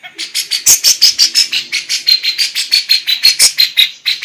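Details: Lively female lovebird delivering kapas tembak and cucak jenggot song fillers. Bright, high chirps repeat quickly, roughly three each second, and vary slightly in pitch along the series.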